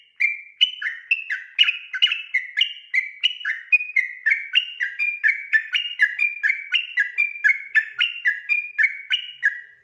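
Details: Persistent 'ropel' song of a yellow-vented bulbul at night, played to train other birds: nearly ten seconds of rapid, evenly paced whistled notes, about four per second, hopping between higher and lower tones without pause.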